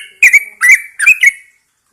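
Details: Caged Yellow-vented Bulbul singing in the morning air. Three quick, loud, gurgling whistled phrases, each a liquid slur dipping and rising, end in silence.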